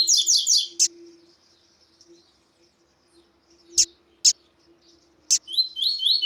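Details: A captive male double-collared seedeater (Sporophila caerulescens), with a female calling, gives rapid, high, sweet chirping phrases at the start and end, with a few sharp single chips between and a faint steady hum underneath; used to stimulate other seedeaters to sing.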